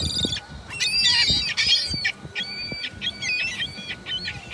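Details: Gulls give loud harsh squawks, then a run of shorter clipped nasal calls repeated about three times per second, over faint background rumble.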